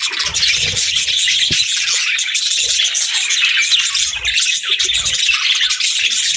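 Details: Pet budgerigars chirp happily in a steady, dense wall of high, scratchy twitters and warbles, unbroken from start to finish.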